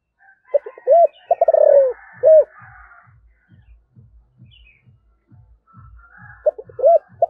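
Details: Spotted dove, giọng thổ voice, calling: stuttered notes, a rolling trill and an end coo, repeated after a gap. A steady low knocking pulses underneath, with faint higher bird twitters.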